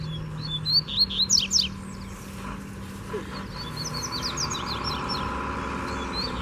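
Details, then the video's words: Free wild Double-collared seedeater flying in to challenge a caged male, singing two bursts of sharp, rapidly rising and falling high notes, the second longer and fainter, over a steady low background hum. "Puxada de Fibra Top!!! Coleiro Solto Veio Com Força"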